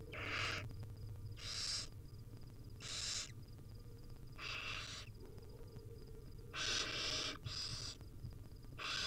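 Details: Wild barn owl nestlings being fed tiny bits by their mother, recorded on a nest cam: harsh, hissing screeches of about half a second, repeated in irregular bursts over a low steady hum.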